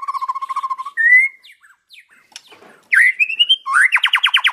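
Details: Free-living white-rumped shama in Indonesia, recorded for tutoring caged birds: a low pulsing trill, a rising whistle, scattered soft notes, then rising whistled slurs leading into a fast rattling trill.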